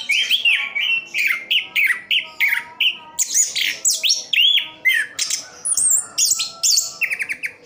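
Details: Captive Orange-headed thrush from Sidoarjo, East Java, delivering a long, continuous run of sliding whistles, sharp chips and buzzy high notes, phrase after phrase with barely a pause.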